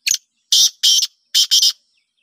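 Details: Black francolin, known locally as desi, sindhi or kala teetar, giving a loud harsh call: one short scratchy note, then two grating doubled bursts with a brief pause between, all within two seconds against a silent background.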